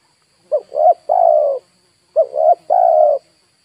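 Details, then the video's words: A spotted dove serving as a decoy for wild birds coos twice: two short notes then a long, slightly falling coo, about one phrase every one and a half seconds, over a faint electronic hum. "DERKUKU/TEKUKUR PIKAT DI HAJAR BURUNG LIAR"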